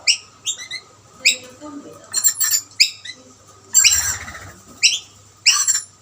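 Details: Several rainbow lorikeets jostle over plates of snacks while a dominant male drives off rivals. Rapid high squawks and chirps come in quick clusters, some harsh and buzzy, with soft rustling underneath.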